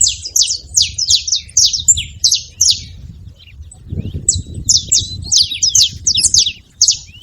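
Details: Saffron finch giving high, clipped chirps in two bursts separated by a quiet gap of about a second, with low rumbling noise underneath.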